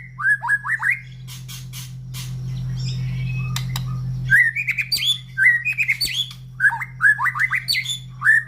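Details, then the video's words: Captive white-rumped shama singing bursts of fast rising whistles and chattering notes, a quieter stretch with clicks in the middle, then a loud run of whistled phrases over a low mechanical hum. "Murai Batu ngeplong"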